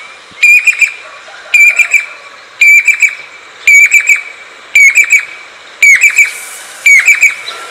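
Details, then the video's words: Jacobin (pied crested) cuckoo, the chatak, calls in loud, ringing whistled phrases: a sharp note, then quick descending piu-piu notes, repeated about once a second. "चातक पक्षी की आवाज/Jacobin Pied Cuckoo Sounds/Crested pied Cuckoo Calls"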